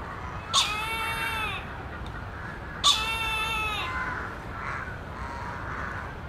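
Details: Black eagle (Ictinaetus malaiensis) giving two drawn-out, mewing yelps about two seconds apart, each rich and slightly falling in pitch, over a steady background hiss.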